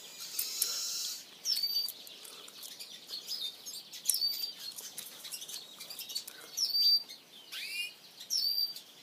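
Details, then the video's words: Female black siskin (Carduelis atrata) gives thin, high chirps in short bursts every second or two, with a hissing rustle at the start. "Black Siskin female"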